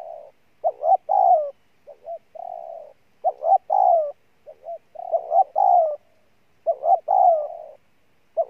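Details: Wild-caught spotted dove in a strong cooing bout: coo phrases repeat steadily, each a pair of short notes followed by a long, slightly falling coo, with short soft notes between phrases and a quiet background.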